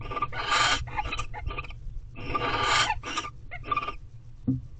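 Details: Barn owls in a nest box in Corral, during their mating period, on 28 February 2023 at 3:02 pm: long, harsh, hissing screeches in irregular bursts, overlapping with shorter rasping notes and a low rumbling background.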